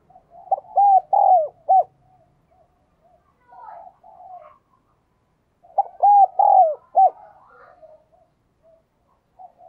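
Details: A lure spotted dove coos and calls in two loud bursts of low, arched, hooting notes about five seconds apart, each with a short quick lead-in and softer murmuring coos trailing between.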